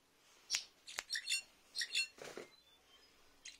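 A finch gives short, high, bright twittering notes in quick uneven bursts, with a couple of sharp clicks and a brief rustle between phrases.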